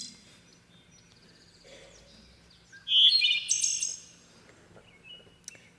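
A hermit thrush sings one ethereal, flute-like phrase: a clear held whistle, then a quick cascade of higher, ringing notes. Fainter bird notes sound before and after it.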